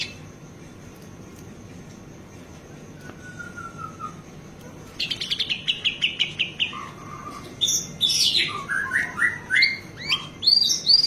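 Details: White-rumped shama song with full fills for training caged birds: a quiet start with one faint whistle, then a run of rapidly repeated notes, then loud varied whistles and harsh bursts.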